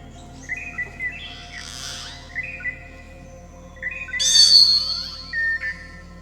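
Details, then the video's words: A Common Hill Myna sings from a tree by a watch tower in Thattekad bird sanctuary, Kerala: clear, ringing whistles broken by two harsh rasping bursts, a piercing high note near the end, faint hum underneath. "വാച്ച് ടവർ മുറ്റത്ത് മരത്തിൽ അതാ കാട്ടുമൈന ഇരുന്ന് പാട്ടു പാടുന്നു."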